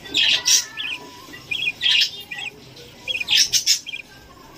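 A young budgerigar gives harsh, raspy squawks mixed with short chirps, in bursts every second or so.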